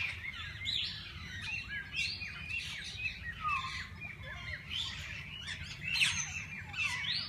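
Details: Flock of assorted parakeets inside a walk-in aviary at a parrot zoo where visitors can feed them; continuous chirping, warbling and short squawks from many birds, a faint voice possibly in the background over low hum.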